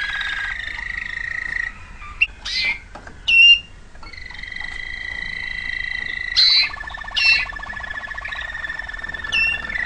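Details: Waterslager canary giving long held whistled tones broken by brief sharp notes and short bursts, then returning to sustained rolling trills.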